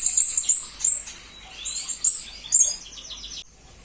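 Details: Blue-crowned hanging parrot recorded as master song for murai and kacer birds: sharp high tsit notes in clusters, a few descending sweeps, ending with a quick stuttering series of short chirps before silence.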